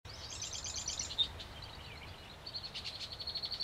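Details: Male yellow-headed blackbird at Turtle River State Park, North Dakota, 26 June 2009: a burst of rapid high clicking, chattering notes, then a pause and a run of evenly spaced dry, buzzy rasps.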